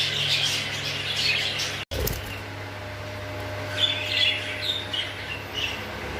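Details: English show budgerigars, several birds kept as exhibition pets, giving soft chirps and warbling chatter in high bursts, with a break near two seconds and a steady low hum behind.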